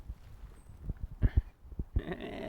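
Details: Pileated woodpecker excavating a nest hole in Stanley Park on an October morning: slow, irregular, dull wooden knocks about every quarter second, tossing down bark chunks, ending in a rustling scrape.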